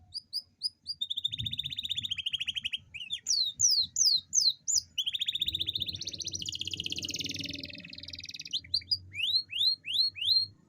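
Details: Long rolling song of an Atlantic canary, played to encourage reluctant canaries to sing: rapid trills alternate with slurred descending notes and a long dense buzzing roll, then rising whistled notes about twice a second.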